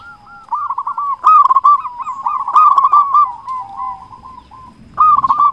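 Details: Local zebra dove with a big voice, sung as a lure to rouse other doves: a long, continuous run of rolling, bubbling coo notes that softens near the end before a fresh loud burst, with weaker dove voices overlapping.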